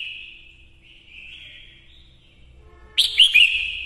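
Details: Female red-whiskered bulbul lure song meant to rouse males. A drawn-out wavering whistle trails off, then a loud burst of quick warbled whistles near the end. Faint low rumbling is heard underneath.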